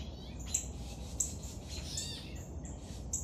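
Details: Woodpecker young at feeding time giving sharp, very high squeaky notes roughly every half second, mixed with softer buzzy chatter, against constant low-pitched background hum.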